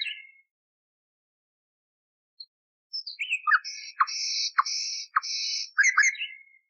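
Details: From an old, cleaned nightingale recording meant for canary training: after a pause, a few chirps lead into three long buzzy notes broken by sharp low clicks, then quick twittering notes.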